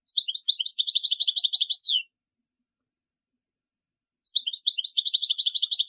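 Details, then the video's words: European goldfinch singing for young birds to learn: two long, dense twittering phrases of quick, high liquid notes, the first ending in a falling slur, with a gap of about two seconds. "تغريد طائر الحسون لتعليم الفراخ الصغار chardonneret"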